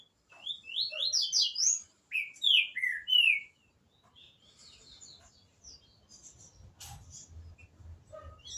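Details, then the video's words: Green-winged saltator at the start of the season: a burst of loud, clear whistled notes rising and falling in quick succession for about three seconds, then fainter scattered chirps over a low background rumble. "Trinca Ferro, temporada começa agora."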